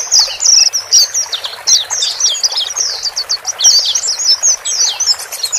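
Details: Chattering white-eyes, both sexes, meant to help a bird freshly bought from a group cage adapt to being alone: quick, high, squeaky chirps in an unbroken run, slurred up and down, several callers overlapping.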